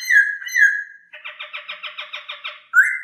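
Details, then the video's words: Masked laughingthrush song for caged-bird training: two drawn-out whistles, then a fast dry rattle of about ten pulses, ending with a sharp rising whistle. "terapi suara poksay,hongkong"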